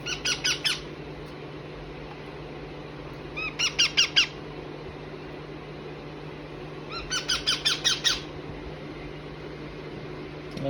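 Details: Baby rose-ringed parakeet, kept as a pet, calling indoors: three bursts of rapid, harsh, rising squawks, each about a second long, spaced roughly three seconds apart over a steady low hum.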